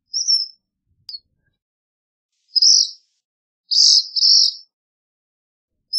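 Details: A black phoebe giving high, scratchy two-note phrases with gaps of a second or more, plus a brief click, in otherwise quiet surroundings.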